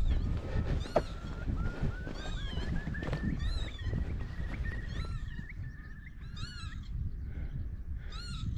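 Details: Eurasian curlew near Great Whernside, Yorkshire Dales, UK, apparently upset near its nest: a long, slowly rising whistle, while lapwings repeat short, sharp alarm calls over strong wind rumble.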